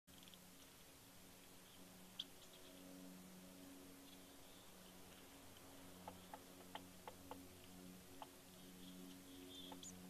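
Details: A woodpecker on a branch of an eagle nest tree at Big Bear, California, on 11 November 2019, hammering for insects in sunlight: a single sharp tap then a loose cluster of five or six knocks, over a steady low hum.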